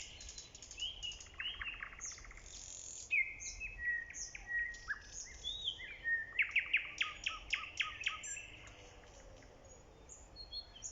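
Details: Nightingale song recorded in early spring: varied, changing phrases of sharp high chirps, whistled slurs, short buzzy bursts and clicking notes, delivered in quick succession with brief pauses against a soft outdoor background.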